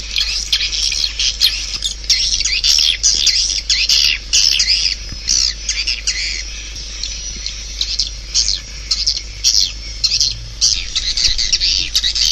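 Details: Steady chorus of swiftlets, high buzzy chirps tumbling over one another in quick irregular bursts of about two per second, pausing briefly now and then.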